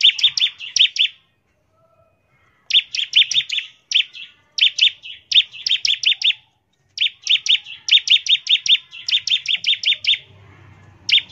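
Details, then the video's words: Lure song of a bar-winged prinia played so other prinias start singing: clusters of sharp, high chipping notes in rhythmic bursts, each lasting about a second and a half, with clean silent gaps between. "ciblek gacor, nembak NGEBREN untuk pancingan ciblek agar cepat bunyi"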